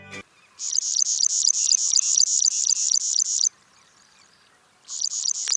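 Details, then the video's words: Plain Prinia (white-browed wren-warbler) gives a fast run of high, buzzy, wheezing notes, about four a second, then pauses and starts again. Faint music plays underneath. "Plain or White-Browed Wren-Warbler | Sound / Call"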